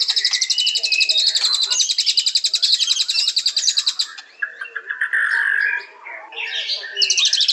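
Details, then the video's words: White-rumped shama in full song, opening with a long, fast, high rattling trill for about four seconds, followed by lower whistled phrases, pauses and a closing high trill. "Beautiful Birds Chirping Murai Batu"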